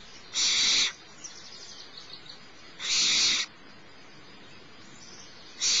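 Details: Little barn owlet at Starr Ranch begging as the mother feeds it, repeating rasping hiss-screeches roughly every two and a half seconds, with soft chittering in the gaps.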